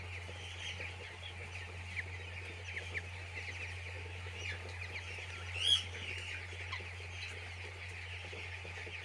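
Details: Many chicks in a poultry farm giving a steady wash of thin, high peeps, one brief louder burst midway, against a persistent low humming background.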